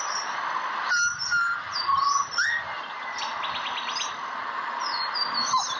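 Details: Pied butcherbird in Australia singing a few soft, pure whistled notes that dip and then rise, against a steady hiss of background sound and faint bird chatter.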